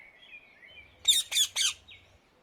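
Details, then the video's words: Rose-ringed parakeet at liberty in the Netherlands delivers three strident, scratchy squawks in quick succession, with thin whistled notes of other birds before and after. "Indian ringneck parrot, صوت ببغاء الدرة في الطبيعة"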